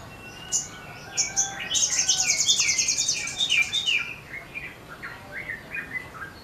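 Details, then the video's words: Sogon, a small songbird, singing vigorously in full song while spreading its wings; a run of quick sharp chirps and buzzy trilled notes, rising in intensity mid-phrase, then slower spaced twittering notes. "Sogon sriganti gacor full nembak buka sayap"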